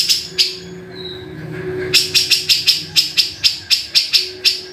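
A Grey-cheeked Bulbul gives a harsh, dry chatter: rapid rasping notes about four per second after a brief pause, over a faint low hum.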